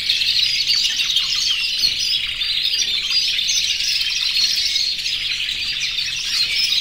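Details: Caged flock of more than 100 canaries in breeding condition singing in an aviary to court females; overlapping warbled phrases and quick trills form a loud, continuous high chorus.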